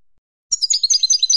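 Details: Short burst of European goldfinch song, meant to motivate young birds to sing: after a brief pause, high jangling twitters follow rapidly, about eight notes in under a second.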